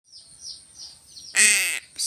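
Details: Crow being fed fish; soft high chirping from small birds, then one loud, harsh, hoarse caw lasting about half a second, followed by a short burst of noise.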